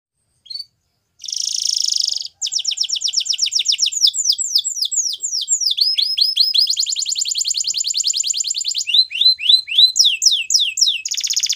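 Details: Belgian canary song: a rapid series of high trilled phrases, a buzzy rattle then fast repeated downslurred whistles and rolling tours, changing every second or two, clean and loud throughout.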